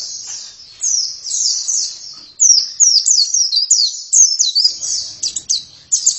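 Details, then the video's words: Oriental white-eye (pleci) building from soft, thin twitters into a loud sequence of high, quick downslurred chirps, with faint low noise near the end. "Pleci langsung gacor dalam 1 menit"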